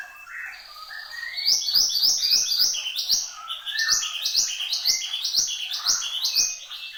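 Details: Mountain-form Horsfield's babbler in persistent song, a soft warbled start leading into a long, fairly regular series of loud, sharp upswept notes spaced roughly a third of a second apart.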